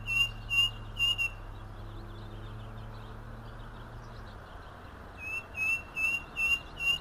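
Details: Striped cuckoo in Argentina whistling three sharp high notes, then after a quiet gap a longer run of five similar whistles at the same pitch, evenly spaced, against a low hum and soft hiss.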